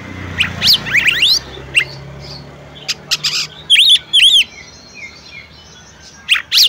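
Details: Calls of a female oriental magpie-robin urging the male to sing: scattered sharp whistled sweeps and clicks, then a pair of clear arched whistles, then quiet before a final rising squeal, over a faint low hum.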